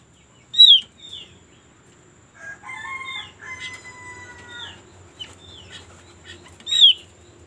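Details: Mountain white-eye call used as a lure to get birds singing quickly: sharp, high, sliding whistles open and close the phrase, with steadier harmonic notes between; a fowl-like crowing tone may sit underneath.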